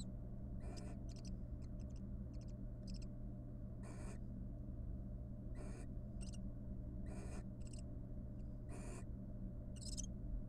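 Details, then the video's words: Barn owl pair, wild, in a monitored nest box courting after raising three nestlings: a busy run of raspy hisses and short chittering bursts, irregularly spaced, some overlapping, over a steady low hum. "Owl Parent Love: After raising three nestlings, the barn owl pair court and show each other love."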